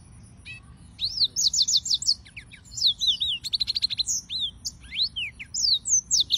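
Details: Singing yellow-fronted canaries, several birds, deliver rapid rattling trills of repeated high notes mixed with looping whistles, a busy continuous warble after a quiet first second; faint hum below.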